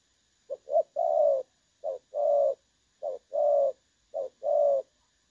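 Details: Trapping decoy of a clear-toned "đồng son" spotted dove from 16 August 2024; four phrases of a short low coo followed by a longer rounded coo, spaced about a second apart, over near silence.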